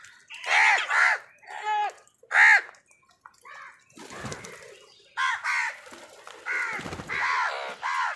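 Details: Crows fighting for food call in a series of harsh, nasal caws, some doubled, with broadband scratchy noise between bursts and a brief low rumble near the middle.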